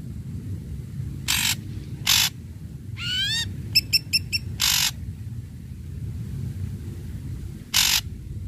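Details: A stimulating song by an Ashy Drongo, used to rouse mute drongos: scratchy broadband bursts with a cascading rising whistle and a brief clipped note series between them, then a quiet stretch and one more rasp.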